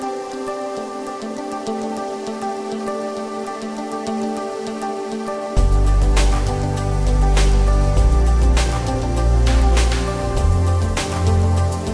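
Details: Soft sustained music with steady tones and a deep bass swell entering midway, plus faint dripping sounds; no animal calls.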